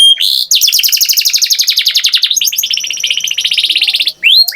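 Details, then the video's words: Canary singing loudly and close: long rapid trills of repeated high notes, one fast rolling series running for about four seconds, with brief rising whistles at the start and end. "Canary Singing Beautifully"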